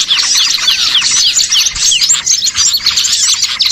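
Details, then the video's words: Small birds used as a trapping lure, heard as a crowded flock of sharp, high chirps and short downward-sweeping tweets packed tightly together throughout. "MP3 PIKAT BURCIL"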